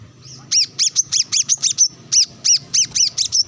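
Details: Brown-throated sunbird calling out to a rival while being sunbathed, with wild birds nearby. Sounds a fast, steady string of piercing, high chips, roughly three per second, barely pausing.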